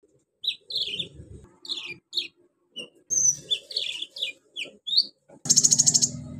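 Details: A sunbird called konin sings copied sounds of crickets, cililin, golden grasshoppers and chicks: slurred descending cheeps in quick series, then a loud pulsing insect-like buzz at the end.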